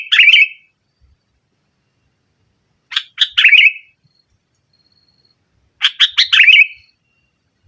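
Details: Kutilang, the sooty-headed bulbul, in loud rival-pressing song: three bubbly phrases of quick stacked notes ending in a rolling warble, spaced about three seconds apart with silence between, and a faint thin whistle in the gaps.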